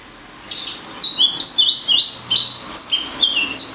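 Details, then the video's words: Blacksang hybrid of blackthroat and sanger giving a brisk sequence of high, slightly harsh downslurred whistles, roughly two per second, after a short quiet start. "Kicau Merdu Blacksang Gacor"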